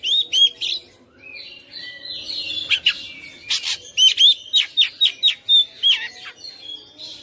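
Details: Captive home-bred Oriental magpie-robin (kacer), a persistent fighter-style singer in full voice, unloading its varied repertoire: rapid bright whistled notes and upslurs, sharp chips and buzzy rattles in quick irregular bursts, about four notes a second, over a faint background hum.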